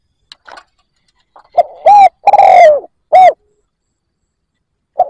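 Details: Spotted dove decoy cooing to attract wild doves: a few faint clicks, then one loud phrase of short coo, extended falling coo and short coo, with the start of another phrase at the end.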